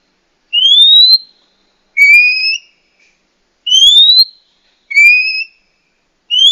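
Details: Oriental magpie-robin female whose calls are used to spur a male to sing and come into breeding condition; pure rising whistles alternating with double-toned upslurred notes, about one every one and a half seconds, nothing else heard.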